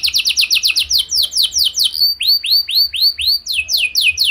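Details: Canary song used as a lure for other canaries: rapid downslurred notes, then slower, well-spaced rising-falling whistled notes about four per second, ending in quick chirps.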